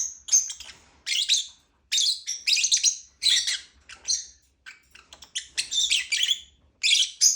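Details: Lovebird giving rapid high-pitched chirps and shrill squeaky notes in clustered bursts separated by brief pauses, with a dense, twittering, rasping texture.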